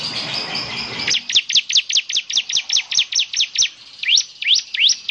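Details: Bar-winged prinia in full song, whose distinctive voice is said to prompt other prinias to sing along: a rapid series of high, sharply slurred chirps, then a few rising upslurred notes after a short pause.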